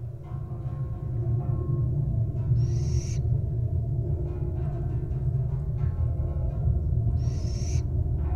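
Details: Napping wild barn owl chick produces two loud, noisy hiss bursts lasting about half a second, separated by some four seconds, above a continuous deep hum.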